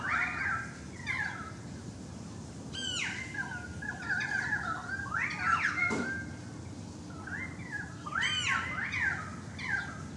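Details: Melodious currawong song recorded from a balcony: bright, gliding whistled phrases with rising and falling arcs, separated by short pauses over quiet background.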